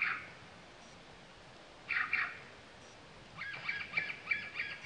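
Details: Male sultan tit at Latpanchar, Siliguri, Darjeeling, West Bengal, India, February 2018, giving harsh, buzzy notes: one short burst, a doubled burst two seconds later, then a quick chattering run, over faint hiss.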